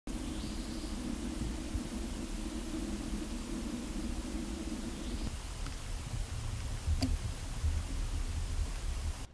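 Low rumbling hum with a steady drone for the first half and a single sharp click later, with no animal calls audible.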